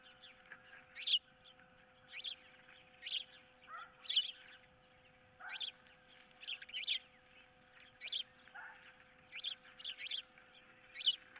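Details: Osprey calling from a nest under camera on 15 April 2023 while an intruder is about and a fish is contested between the pair; piercing upslurred whistles repeated about once a second, occasional lower note, steady hum.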